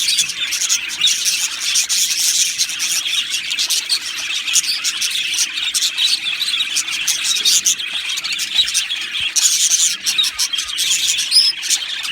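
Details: Australian budgerigars in a colony aviary keep up a steady chorus of high twittering and warbles, a thick wall of overlapping chirps with brief sharper clicks and a whistled note near the end.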